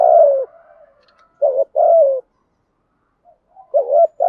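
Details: Decoy spotted dove cooing in the urging style with an earthy voice; soft, low, slightly falling coos delivered in pairs separated by silent gaps, with a faint trailing note between.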